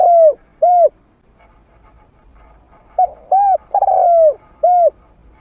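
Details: Decoy spotted dove, trained and medium-voiced, used to attract wild rivals: two rounded coos, a pause, then a fuller phrase of short coos, a stretched falling coo and a final rounded one.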